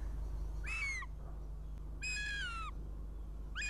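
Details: Young northern goshawk at its nest in Riga, Latvia, on a live camera at 06:14 on 23 June 2017, coming in for breakfast; loud, harsh, drawn-out squealing cries, each falling at the end, repeated three times about a second apart, over a low steady hum.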